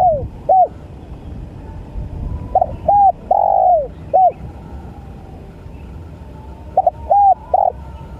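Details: Spotted dove cooing: soft low hooted notes in small groups separated by pauses, one longer drawn-out coo in the middle, over a quiet rumbling background.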